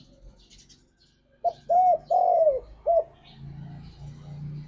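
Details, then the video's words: Lure song of a spotted dove in ngalas style: a single phrase of four low mellow coos, the middle two longer, over a low steady background hum. "Suara Burung Tekukur Ini Pancingan Tekukur Gacor Suara Ngalas"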